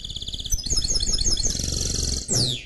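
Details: Canary and goldfinch mule singing a quick series of high pulsed notes running into a fast twitter, ending with a sharp downward sweep; low background hum.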